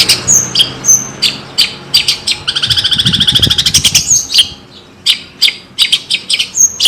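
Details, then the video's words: Javanese long-tailed shrike (cendet) singing a varied phrase: sharp high whistles and chips, a dense rapid rattle in the middle, then more spaced, squeaky and sliding notes. "Kicauan terbaik cendet Jawa gacor full isian jernih"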